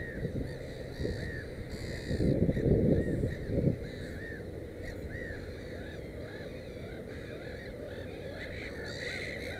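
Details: Black-headed gull at its nest with three chicks: a run of harsh, curved calls, fairly regular in the first half, then sparser. A louder burst of low noise comes around the middle.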